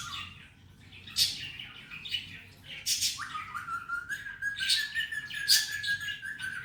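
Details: Male ringneck parakeet kept as a pet, talking in Hindi/Urdu phrases like "Mithu bete"; scratchy broadband bursts followed by a long steady whistled tone, then more harsh speech-like syllables.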